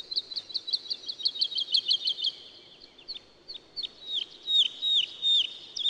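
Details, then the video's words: Woodlark singing a fast run of short, bright repeated notes, then slower, longer slurred whistles that swoop downward and grow louder toward the end. Soft background noise throughout. "Как поет лесной Жаворонок"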